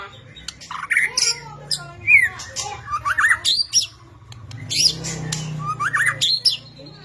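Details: White-rumped shama singing an excited, varied song used to stir lazy shamas into singing. It has loud, sharp, whistled and squawky notes that jump in pitch, given in irregular bursts with short gaps. A low hum runs underneath.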